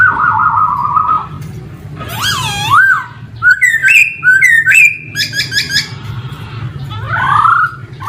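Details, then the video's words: Varied male laughingthrush song: a long wavering whistle, a rich swooping note, then alternating rising and flat whistles with sharp clicks, ending in an upward slur; low hum throughout. "Noog sab hw quaj zoo heev 2021 ( Khướu trống hót hay nhất )"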